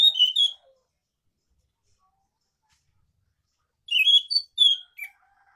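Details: Scaly thrush in the morning, rolling ngeroll song: a short burst of high whistled notes, a long silence of over three seconds, then a quick run of slurred, twittering whistles.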